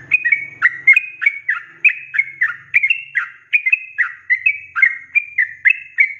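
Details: Sooty-headed bulbul in continuous ropelan song, recorded as tutor material for cage birds: a dense stream of bright whistled slurs, three or four per second, with a low hum faintly underneath at the start.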